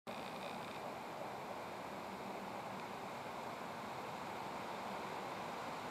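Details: Steady, even rushing noise like flowing water or surf fills the whole recording, with no animal calls.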